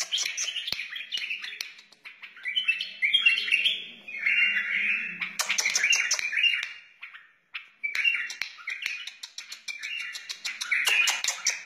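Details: A wild white-eared bulbul sings short rich warbling phrases in bursts with brief gaps, mixed with sharp dry clicking ticks that come in quick runs between phrases.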